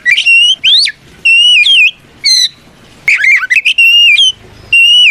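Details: Oriental magpie-robin fighting song meant to trigger rivals to answer: long clear whistled notes, some level and some wavering, mixed with quick rising slurs and brief harsh flourishes.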